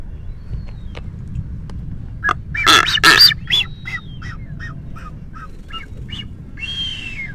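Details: Nesting male blue-footed booby (Sula nebouxii), Galapagos, around 6:26 PM: two loud, harsh honks, then a run of short, shrill whistled notes and a drawn-out falling whistle, over a low rumble of wind.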